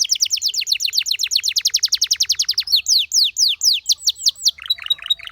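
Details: Canary song for training: a long series of fast, evenly spaced descending sweeps, slowing into broader downward slurs and ending with a short high trill.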